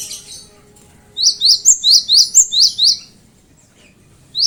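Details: Cinereous tit song used to prompt other birds to sing. After a short high chirp, a rhythmic run of about eight bright, high, repeated two-note phrases follows, then a pause and one more note. The background is quiet, with a faint low hum.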